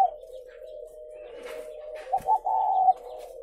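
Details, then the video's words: Captive spotted dove at a dove-rearing farm in Ba Vì, Vietnam: a long, steady low hum, then short rising coo notes near the end, ending in a firmer sustained coo, with slight indoor reverberation. "nuôi chim cu gáy hay"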